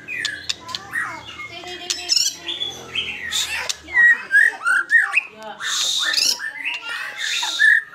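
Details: White-rumped shama singing vigorously in fighter style, a rich mix of slurred whistles, chattering bursts and buzzy notes, strongest in the second half, with mechanical clicks and faint low noise behind.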